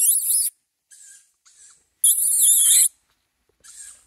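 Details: A young tawny owl begs for food with loud, rasping hisses. One long, wavering screech runs nearly a second, and fainter, shorter hisses come between the louder calls. The background is silent.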